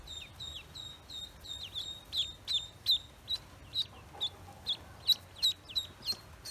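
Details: Newly hatched Pekin ducklings on a farm give a stream of high, thin peeps, each a short falling whistle repeated about every half second, some overlapping, over faint low background hum.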